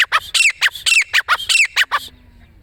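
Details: Grey francolin calling: loud, harsh, rhythmic series of about ten squawking notes, some rising with a sharp inflection, delivered in quick succession over two seconds before stopping.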